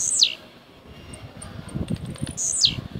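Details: Rojão song of a caged blue-black grassquit from Jacarepaguá, Rio de Janeiro, Brazil: two sharp, high, buzzy notes dropping steeply in pitch, about two seconds apart, over low muffled knocking.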